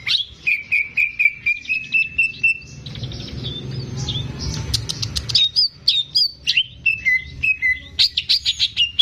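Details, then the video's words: Greater green leafbird, a keeper's caged singer, recorded as a training lure for young birds. Rapid evenly spaced whistles open, a rustling noise passes, then varied chirps and slurred whistles resume. "CUCAK IJO GACOR || PAS BUAT PANCINGAN BURUNG BAHAN"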